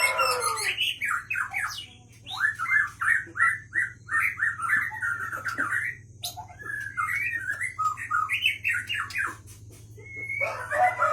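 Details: A White-rumped shama of the Leuser line, caught in 2013 at Pining, Gayo Lues, Aceh, delivers a varied song. Quick slurred and chattering phrases rise and fall in runs, with a short pause midway, and a low steady hum underneath.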